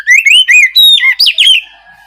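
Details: Oriental magpie-robin singing an open, clear song used to provoke a silent, lazy bird into answering; loud rising and falling whistled phrases, rapid and rich, then fading.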